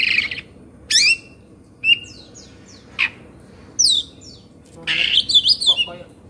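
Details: Indonesian Oriental magpie-robin in excited 'kongslet' mode, beak open and tail spread, delivering separate bursts of rising and falling whistles, steep downward sweeps and a closing run of rapid chattering notes.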